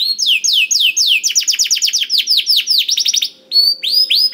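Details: Bright canary song intended to trigger singing in a silent canary: slow looping downward whistles, then a quicker trill of repeated notes, a short gap and a few more swept whistles.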